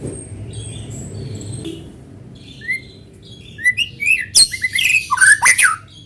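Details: Natural white-rumped shama song used as a lure for other shamas: faint thin whistles and a low hum at first, then a loud rush of rising whistles and rasping chatter in the final seconds.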